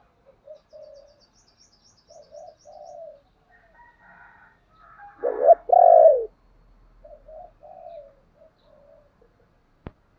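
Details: Spotted dove cooing as a lure to draw replies from wild doves. Soft, low, muffled notes lead into a loud, rough double coo midway, followed by quieter coo fragments trailing off and a sharp click at the end.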